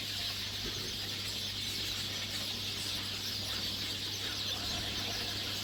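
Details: Hungry sparrows feeding in a bird yard, a flock chirping together in a dense, continuous high chatter with no pauses, over a steady low electrical hum.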